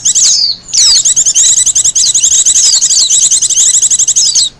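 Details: Wild Japanese white-eye song suited to luring and master training: a sustained stream of rapid, high chirps with occasional sharp falling whistles.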